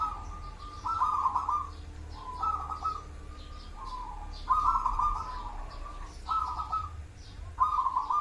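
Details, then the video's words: Local zebra dove cooing: short burry, rolling coo phrases of quick pulsed notes, about half a second each, repeated every second or two over a low steady hum. "perkutut lokal"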